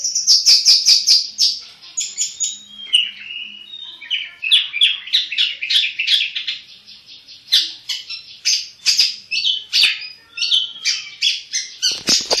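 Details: Caged black-headed long-tailed shrike singing energetically: dense bursts of harsh, scratchy chatter mixed with whistled and warbled phrases, repeated rapidly with short gaps.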